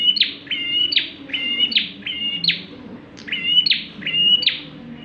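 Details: Lively song of a bar-winged prinia, kept as a lure for other birds: roughly seven repeated phrases, each pairing a steady whistle with a loud descending buzzy chip, delivered in a brisk, slightly uneven rhythm.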